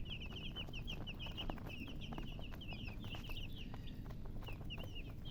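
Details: A brood of baby chicks peeps steadily, bright high cheeps repeated many times per second across the group, over a constant low background noise.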